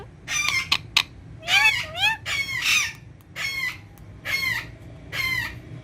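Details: A green ringneck parrot facing a mirror, said to be talking in Urdu and Hindi: two clipped clicks, then a string of grating, harmonic squawks with rising and falling tones.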